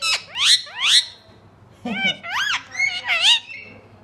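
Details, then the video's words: Pet green rose-ringed parakeet talking in Urdu, repeating the phrase mian mitho choori khani quickly: two rising squawky syllables, a pause, then three rapid wavering speech-like syllables, in a quiet room. "Talking parrot saying mian mitho choori khani|Green ring neck best talking parrot"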